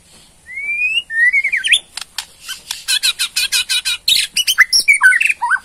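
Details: Borneo white-rumped shama, kept by Indonesian songbird hobbyists, giving its ketrekan rattle to provoke a response: two rising whistled slurs, then a fast series of dry, broadband ticking rattles ending in short whistled twitters.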